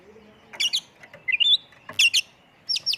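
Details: Oriental magpie-robin (kacer) lure song in the full-isian tembakan style: short bursts of high chirps and sharp trilled notes, with a brief warbled phrase, separated by pauses over a faint low hum.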